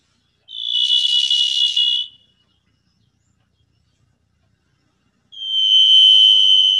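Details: Wintering Varied Thrushes calling loudly in a park on the Gulf Islands before heading north: two long, buzzy, referee-whistle-like single notes, each held over a second, the second slightly lower, with a silent gap between.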